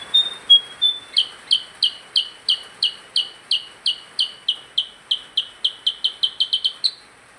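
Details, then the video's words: Percang bird singing actively: a few thin high whistles, then a fast run of about twenty sharp, downward-sliding chirps repeated roughly three times per second, speeding slightly toward the end, over faint steady hiss. "Burung percang gacor"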